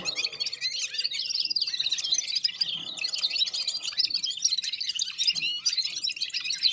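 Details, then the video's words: Red-fronted serin warming up, singing along in unison with other birds: a dense, unbroken high twittering of fast chirps and trills that runs without pause. "Попели поели и опять попели в Унисон Красношапочные вьюрки"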